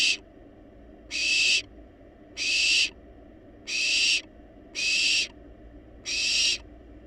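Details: Barn owl young in a wild nest box, begging for food though already overfed; long rasping hiss-screeches repeated about once a second with quiet gaps and a low background hum.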